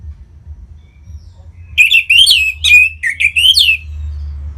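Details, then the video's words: Orange-headed thrush, a kept bird in North Bali, singing as a lure for other birds: a two-second run of varied whistled and slurred notes, sweeping up and down, over a faint low hum. "Punglor Merah Lagi Berkicau.. Untuk Pancingan Bunyi"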